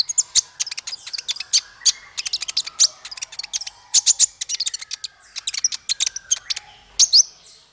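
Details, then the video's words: Male konin in full song, used for training songbirds: a dense, rapid stream of high, thin chips and twitters, hardly pausing across the whole passage. "Suara konin untuk masteran burung 100%jitu konin jantan"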